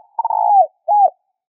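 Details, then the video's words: A fragment of a spotted dove coo, used to stimulate doves. A long burry slurred note falls away, then a brief pause precedes a soft arched final coo. "Tiếng cu gáy kích bổi hay nhanh nổi hiệu quả - นกเขาใหญ่ต่อดิน"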